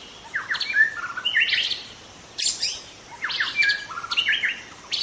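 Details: Wild white-rumped shama of the forest giving a varied song. Groups of harsh, scratchy high notes mix with short whistles, delivered in two bursts separated by a brief pause.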